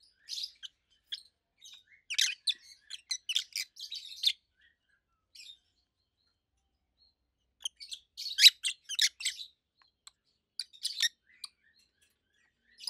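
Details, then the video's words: Two adult rosy-faced lovebirds over a year old chatter in two busy spells of rapid high chirps, separated by several seconds of near silence. "Rosy-faced Lovebirds Call Sounds"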